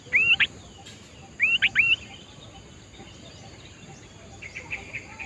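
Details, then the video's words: Sooty-headed bulbul (kutilang) singing in the wild: two quick bursts of bright, looping whistled notes, the second a three-note phrase, then softer distant chirps over a steady hiss. "Tips Melatih Kutilang agar Gacor Adalah Dengan Mendengar Langsung Suara Di Alam"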